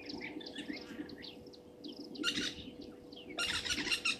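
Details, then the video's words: European bee-eaters at a waterhole, Gowrie dam on Djuma Game Reserve, Sabi Sand, South Africa, 15 January 2023 at 17:00: many short overlapping chirps and trills, with two bursts of harsh broadband rasping noise over a low steady hum. "European Bee-eater"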